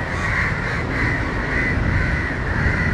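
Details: Harsh, rasping crow caws, about five in three seconds, from crows in Matara, Sri Lanka, mobbing a dog to protect a fallen crow struggling on the ground. A heavy low background rumble runs beneath.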